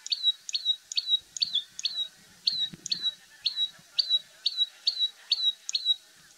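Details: A common tailorbird among Indian birds calls over and over: loud, sharp, high chirps with a downward flick, about two per second and slightly uneven. There is faint low background noise.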